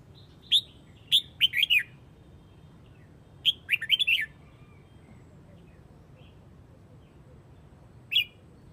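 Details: Calling to gather the flock, a Huế-type red-whiskered bulbul gives loud, sharp, chirpy bursts: a single note, then a rapid cluster of three or four, a pause, another cluster, and a lone final note.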